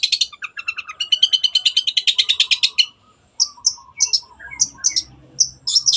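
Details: Long-tailed shrike in vigorous gacor song meant as a tutor for other birds: a long rattling trill of rapid buzzy notes, then a pause, then scattered sharp high chips and squeaks.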